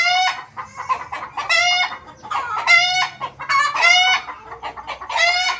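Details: Desi and Aseel roosters crowing in loud, hoarse, ringing bursts, about one every second, the strained phrases overlapping as if more than one bird is calling.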